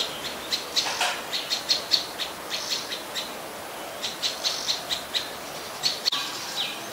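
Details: Adult Common Tailorbird (Orthotomus sutorius), a common resident, in Ubon Ratchathani, Thailand, on 12 February 2023, gives sharp, high chipping notes, several a second and in quick bursts, over a soft background hiss.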